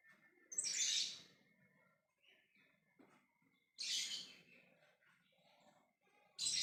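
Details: Lovebird making ngekek calls to its flockmates: three loud, harsh, shrill bursts a few seconds apart, with soft scattered chirps and a steady thin tone between them.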